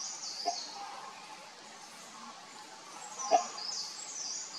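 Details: A great hornbill gives two abrupt, throaty single notes nearly three seconds apart, the first softer, against a continuous shrill buzzing of insects.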